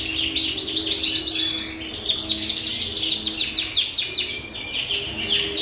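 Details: Energetic frilled canary song of rapid, densely packed descending chirps forming fast rolling trills, briefly pausing near two seconds before resuming in a continuous chattering stream with occasional steady whistled notes.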